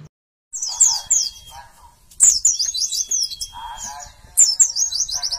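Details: Caged white-eyes, a group of forest-caught fighters readied for a singing contest, giving high, sharp chirped notes and quick descending trills, broken by a long steady whistle held for about a second.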